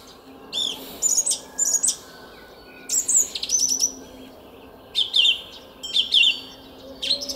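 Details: In a Szalkszentmárton garden on an April morning in 2021, a song thrush delivers crisp phrases of quickly repeated high notes, each motif given two or three times before a short silence.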